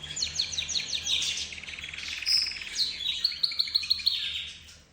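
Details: A mixed group of cage birds, with a canary leading and budgerigar and zebra finch joining: loud, fast trilled chirps and a buzzy rattle, a clear whistle, then a run of evenly spaced sharp notes.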